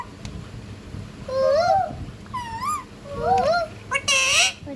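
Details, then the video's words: Ringneck parakeet kept as a pet, talking: wavering, speech-like tonal phrases with rich harmonics, several rise-and-fall syllables, ending in a harsher, louder burst. "Talking parrot ❤️❤️"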